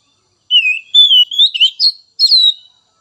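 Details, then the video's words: Kacer, the White-rumped shama, singing as a lure for other shamas: a string of sweet whistled phrases rising in pitch, broken by short twittering notes, with a pause before a final high slurred whistle. "Merangsang Kacer Bahan dan Trotol!!"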